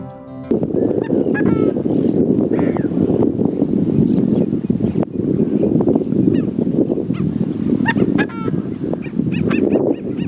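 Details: Coscoroba swan, a wild waterbird native to southern South America, gives the short, nasal, honking alarm calls that give it its name, in scattered bursts partly buried under a steady low wash of background music.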